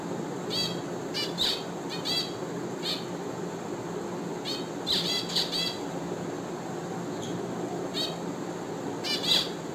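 Finches give short, scratchy chattering bursts high in pitch, several every couple of seconds, over a steady low room hum.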